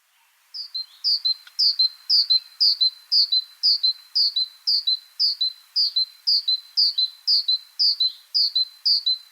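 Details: Great Tit song played as an example, a long series of repeated two-note phrases, a high note sliding down to a steady lower one, about two phrases per second, recalling 'chapim, chapim, chapim'; clean recording, nothing else heard.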